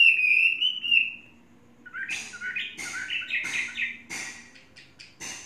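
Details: Caged Chinese hwamei, kept for three seasons, opens with a held wavering whistle, then after a pause gives choppy, jumbled whistled notes mixed with harsher bursts.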